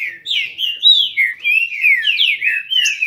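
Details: Green-winged saltator from a Brazilian captive breeder singing in a contest: a continuous run of clear, slurred whistles that glide up and down in quick, varied phrases.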